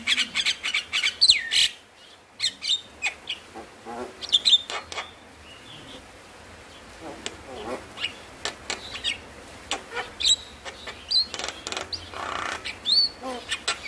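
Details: Javan myna song used as a lure to stir lazy or stressed mynas into singing: rapid dry clicks and rattles in irregular bursts, with a few short high whistled notes around 1, 4.5, 11 and 13 seconds, and brief pauses between phrases.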